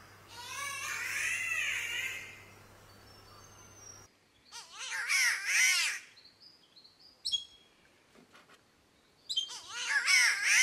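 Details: Spotted catbird in Australia giving cat-like calls: a long wavering, harmonic wail, then two loud nasal arched yowls with thin high whistles between them and a faint steady low hum at the start.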